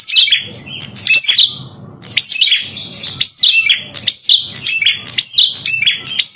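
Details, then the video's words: Prinia with a red head, recorded as lure sound for trapping: bright, rapid chirps and rising whistled notes in repeated phrases about once a second, with a soft low hum underneath. "Masteran Burung Prenjak Kepala Merah"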